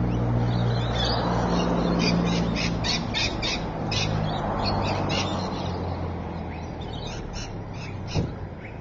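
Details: Rainbow lorikeets recorded at Evans Head, 26 May 2012: dense, fast bursts of harsh screeching chatter repeating several times a second, over a strong low rumble and a faint hum.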